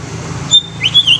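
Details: Greater green leafbird giving a short burst of high, thin whistles: one level note, then a quick upward slur and two more bright whistled notes, over a faint low hum.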